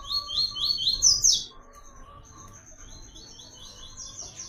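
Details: Double-collared seedeater in the "Tui Tui" melodic pattern, for song training: loud run of fast, sharp, descending high notes ending in a buzzy flourish, followed by softer repeated phrases and a steady high whine.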